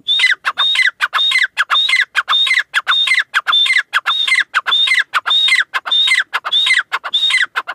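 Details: Grey francolin, called Irani teetar, giving a loud ringing call. Short harsh phrases with a clear whistled upslurred note repeat rapidly, about every half second, forming an insistent, steady series with no other sounds.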